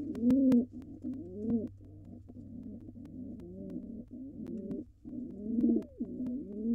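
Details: Male pigeon, wild, cooing in courtship at a nest box while the female dances ahead of laying. Deep, rolling coos run together in a busy stretch, with some sharp taps and a low hum.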